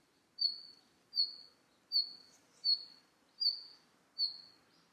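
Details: Red-flanked bluetail calling: six thin, high, slightly falling whistles, each sharp at the start and trailing off, evenly spaced about three-quarters of a second apart over a quiet background.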